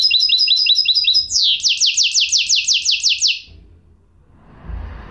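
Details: Hybrid goldfinch (mule) song: quick high twittering notes, then a steady series of about a dozen descending buzzy strokes roughly every fifth of a second, ending in quiet with faint low noise.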